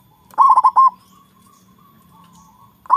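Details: A local zebra dove with a big voice, singing to lure rivals into calling back: a fast stutter of three ringing notes, a long soft trill, then another ringing note at the end.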